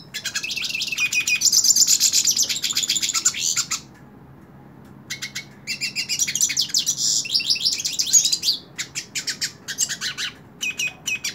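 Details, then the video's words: Singing in the hand, a hooded siskin delivers long bursts of high, rapid twitters and buzzy trills. A quiet gap of about a second separates two energetic warbling phrases, ending in choppy sharp chirps. "Cabecita Negra Canta En La Mano / Pintassilgo Cante Na Mão"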